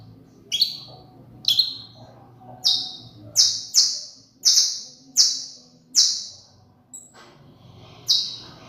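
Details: Saffron finch, called canario criollo, singing a series of loud, sharp, downward-slurred whistled notes, about nine in eight seconds, spaced unevenly with short pauses, over a faint low background hum.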